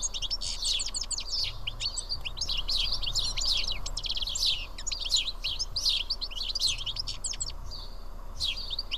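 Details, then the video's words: At Karyotissa in Greece, a small flock of seven house sparrows feeding together produces an unbroken wash of sharp chirps and tweets, dense throughout, with a low hum in the background. "Σπουργίτια (ήχος και εικόνα)"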